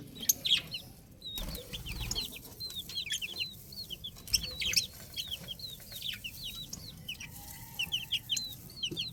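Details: Several baby chicks calling together in a dense overlapping chorus of high, thin, downward-slurred peeps, many per second throughout, with a brief low thump and a faint low background hum.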